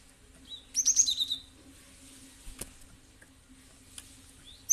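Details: Cinereous tit, used as a lure recording meant to draw a response from other birds: a quick burst of high, sharp chirps, about six notes in half a second, then quiet with a faint low hum and a few clicks.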